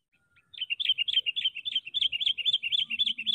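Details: Sooty-headed bulbul used as a trapping decoy. Gives a fast, continuous bubbling chatter of short warbled notes, about three or four per second, steady and bright throughout.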